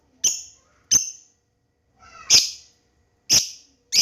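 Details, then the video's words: Young lovebird learning the ngekek song, used as a lure to prompt other lovebirds to answer: five sharp, high, squeaky chirps spaced irregularly about half a second to a second apart, in a quiet setting. "Pancingan Lovebird Paud Balibu Belajar Ngekek Bikin Semua Burung Lovebird Auto Respon"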